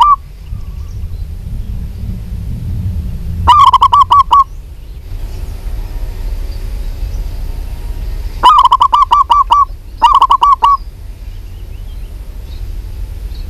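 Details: A local female zebra dove calls for a male in three separate bursts. Each is a fast stutter of short, hollow notes at one pitch, separated by quiet stretches with a low background rumble.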